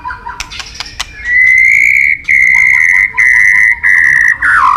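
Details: White-rumped shama training song: clicks and short notes, then long loud sustained whistles on one pitch, four in a row, ending with a falling slur.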